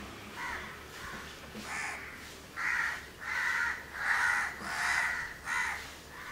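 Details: Mutually grooming house crow couple, Goa, Candolim, December 2010, calling in a run of hoarse caws, growing louder and coming almost once a second, with rough buzzy tone.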